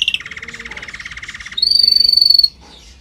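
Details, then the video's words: Canary singing for training, a rapid repeated rolling trill in the middle range that switches abruptly to a louder, very high, fast pulsed trill lasting about a second before stopping. "Canary singing -One Hour of Most Spectacular Video Training - Make Your Canary Singing Like Champion"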